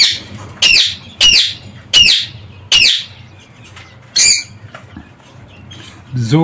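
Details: Parakeets in an aviary screech repeatedly: five loud rasping calls roughly every two-thirds of a second, a pause, another shrill squawk, then a lower rough call at the end.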